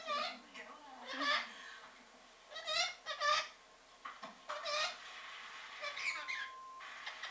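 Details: A pet orange-winged amazon parrot having a little rant: a run of harsh, squawky and wavering calls in uneven bursts, some notes rising and falling, one ending in a thin whistle.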